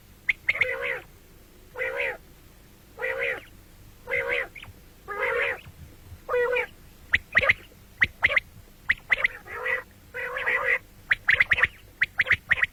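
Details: Common quail calling, morning and night: a run of harsh, buzzy, nasal bursts about once a second, later mixed with sharp clipped notes in quick pairs and triplets.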